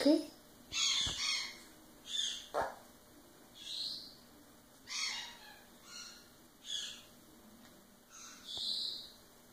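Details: Talking female sun conure, a foster-care bird in Northern California, known to say "Okay" or "Blow Kiss" and "What". About eight short, scratchy, high-pitched word-like bursts spaced roughly a second apart, uneven in rhythm, with a few faint clicks between.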